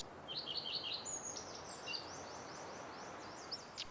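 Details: A male Common Redstart, newly arrived in spring (April) in the Peak District dales, advertises to potential mates with a short run of high, sweet notes breaking into a scratchy twittering jumble, over steady background rush.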